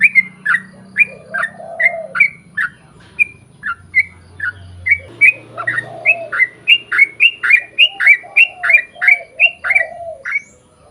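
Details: Lure recording of a sooty-headed bulbul singing hard in a long run, meant to prompt others of its kind to answer: quick whistled downslurred notes that speed up toward the end, with lower mellow cooing phrases mixed in.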